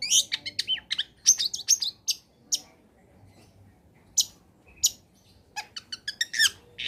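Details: Long-tailed shrike (cendet) song played to encourage lazy shrikes to sing: bursts of varied high warbling and sharp chips separated by brief pauses, ending in a quick ticking run and a slurred note.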